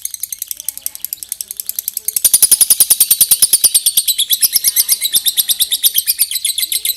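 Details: Long lovebird ngekek trill starting softer, then bursting louder at about two seconds into a sustained high rapid pulsed chatter.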